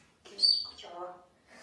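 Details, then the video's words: An African grey parrot named Kevin, a clever talking parrot, speaks a short, word-like phrase in a clear, slightly nasal voice, opening on a bright whistled note and then dropping lower. "Jákó bemutatkozunk nektek"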